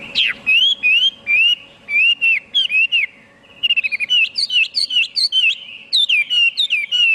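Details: Chinese hwamei song of clear whistled notes, each slurring up then down, repeated in short bursts; after a pause, quicker varied phrases with sharp higher overtones.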